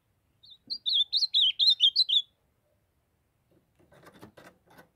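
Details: Short melodious phrase from a young ultramarine grosbeak of the Brazilian Nordeste, a run of about ten slurred whistled notes, followed after a pause by brief broadband clicking and rustling noises.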